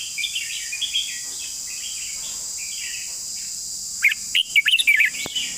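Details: Long song of a red-whiskered bulbul, praised for its beautiful phrasing. Soft, distant warbles lead into a bright cluster of rapid whistled notes that jump up and down. A constant high hiss sits behind it.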